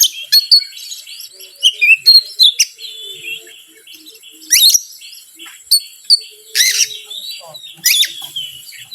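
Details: Provoking lure song of an Oriental magpie-robin: busy whistled and chirped phrases, smooth rising slurs, and several loud harsh bursts scattered through.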